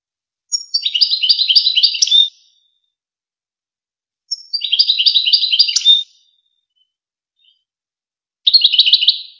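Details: European goldfinch, Wakr Touzgha tutoring song for goldfinch chicks and hybrids: repeated phrases of quick, high, metallic twitters roughly every four seconds, each about two seconds long, no background noise.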